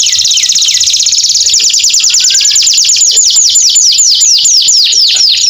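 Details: Canary song played to restart singing in birds after moulting: a fast buzzy trill that slows into a steady series of clear downswept notes, about two per second, loud and unbroken.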